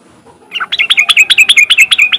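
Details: Sooty-headed bulbul in riwik style, played so other untrained bulbuls join in singing: after a quiet start, a rapid, regular series of about twelve high, clear chirps, each dropping in pitch.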